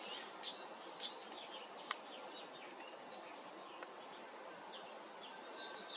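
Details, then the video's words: A hummingbird chirping: two sharp, very high chirps, then faint thin squeaks, over a steady hiss of outdoor background noise. "Humming Bird Chirping"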